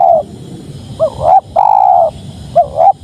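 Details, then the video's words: Close spotted dove cooing: a long sliding coo, a rising double note, another long level coo, then a further double note, all low and mellow. "Suara Tekukur Padu Enak Didengar"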